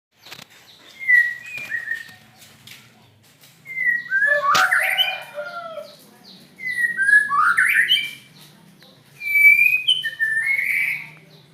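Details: White-rumped shama with an unusual voice singing separate whistled phrases, each about a second long with brief pauses between them. Some phrases are clear, slurred whistles and others have a rougher, buzzier texture.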